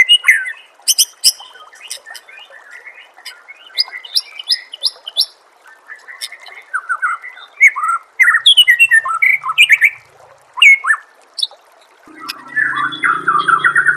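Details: White-rumped shama singing for a masteran compilation: long, rich medley of repeated whistled phrases, sharp chips and tumbling, warbled notes, with a low droning hum near the end.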